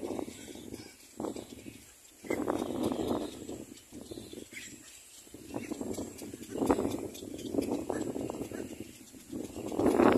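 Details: A little black cormorant brings food to feed its young. Repeated bouts of coarse, grating, stuttering calls rise and fall, separated by short pauses.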